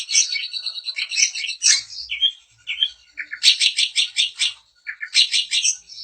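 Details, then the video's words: Daput long-tailed shrike in song used to provoke other shrikes: scratchy chattering phrases, short downslurred chirps, then a rhythmic run of harsh pulsed notes. "Cendet Manapun bakal GACOR dan EMOSI dengan kicau Cendet Daput Ini"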